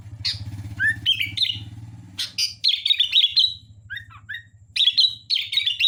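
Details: Sooty-headed bulbul singing lively chattering and warbled phrases with a few dipping whistles, over a strong low hum that drops away partway through.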